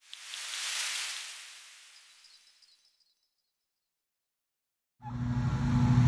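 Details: A soft airy whoosh swells and fades into two seconds of silence, then a low droning hum with a faint buzzing edge starts; no animal is heard.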